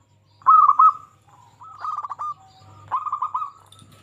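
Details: A lively local zebra dove singing to coax other zebra doves into song. Three short phrases of quick, trilled cooing notes come spaced about a second apart over near silence.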